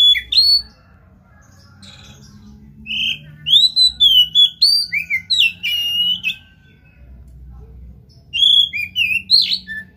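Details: Singing Oriental magpie-robin used to spur another bird into song, giving varied clear whistles and slurred sweeps in bursts, with a pause of several seconds mid-clip before lively phrases return; faint low hum behind.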